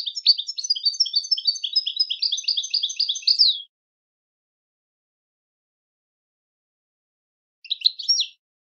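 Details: European goldfinch in full song: a sustained run of about three and a half seconds of rapid, jangling trills and chirrups, then silence, then a short twittering burst.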